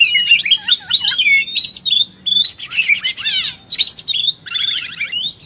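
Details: Oriental magpie-robin in full 'tarung' fighting mode, delivering its learned material: sliding whistles and looping slurs mixed with harsh buzzy trills and rattles in a continuous, varied stream.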